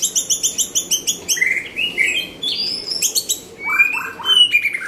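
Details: White-rumped shama opening with about ten rapid, evenly spaced chipping notes, then shifting into smooth rising and falling whistled phrases and a few downward-slurred notes.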